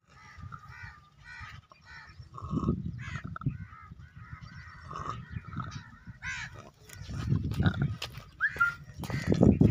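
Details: Sick Indian peafowl (peacock) with infectious coryza symptoms and both eyes swollen, breathing with a low, wet rattle and snorting rasps, broken by short nasal honks and wheezy squeaks, with some handling clatter.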